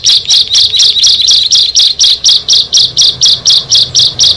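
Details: Song of bar-winged prinias from a group of six: a regular series of short, buzzy, rasping notes, about four per second, evenly spaced and sustained.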